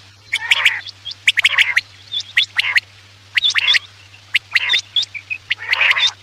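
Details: Night-time quail lure calling: rough, rasping bursts mixed with crisp clicks and brief upward whistles, repeated roughly once per second over a constant low electrical hum.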